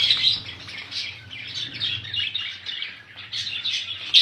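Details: Budgerigars keep up rapid overlapping chirps and warbling tweets, a quick pulsing chatter over a faint low hum.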